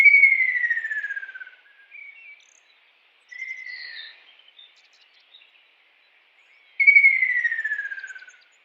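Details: A kingfisher in the wild gives long, clear whistled notes that slide steadily downward, with a softer, shorter phrase between the two strong ones, in otherwise quiet surroundings.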